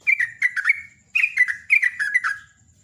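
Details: Sooty-headed bulbul's lively morning song, ngecruk style: three quick phrases of bubbly, descending whistled notes in under three seconds.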